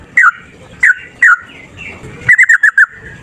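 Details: Fighting male yellow-vented bulbul, recorded as a lure to make other birds sing: a few spaced, slurred chirps followed by a quick cluster of five short bright notes.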